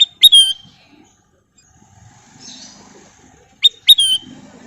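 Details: Golden bulbul singing loud, clear whistles: a short rising note, then a longer bright whistle that falls slightly, given twice here, once at the start and again after a long quiet gap.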